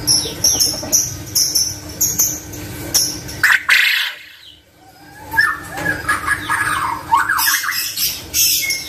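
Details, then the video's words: A male quail gives harsh, scratchy calls in short bursts, with a brief pause midway, over clicking and rustling; the recording is offered as a lure to draw quail or other birds into calling. "Suara Burung Puyuh Jantan"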